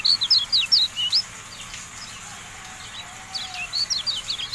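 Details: Kecial kuning (Javan white-eye) tutor recording: a short run of bright, high, falling chirps, a quiet gap, then another quick run of thin twitters.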